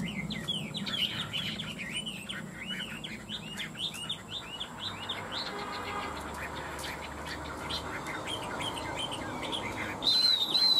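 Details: Two tame caged Chinese hwamei, kept three years, in fighting-style song: a rapid run of varied whistled, looping phrases, some rising and some falling, in a steady stream, with low hum and background noise.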